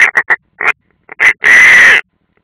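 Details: European rollers, one unringed, at their nest in the Ādaži training ground, Latvia, 30 June 2016: four quick gruff croaks, a pause, two more, then a sustained harsh screech lasting half a second.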